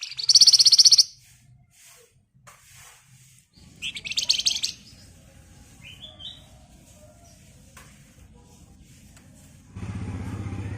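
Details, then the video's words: Javan white-eye in the rapid 'ngebren' style, a lure for training birds: two loud, buzzy, high trills about three seconds apart, a brief whistle, then a steady low hum. "BURUNG FLAMBOYAN GACOR EMOSI NGEBREN RAPAT Cocok buat Pancingan agar cepat Nyaut"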